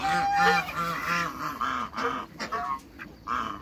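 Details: African geese on a waterbird farm, meeting other waterbirds: a dense chorus of overlapping nasal, harmonic honks from several birds, rapid and irregular, with a brief clear whistle-like tone near the start.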